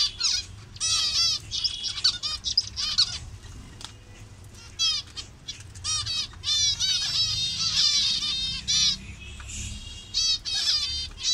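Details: Zebra finches in a Bangladesh colony showing several colour variations. Clear nasal calls come in rapid volleys, with a quieter lull around four seconds before the chorus resumes.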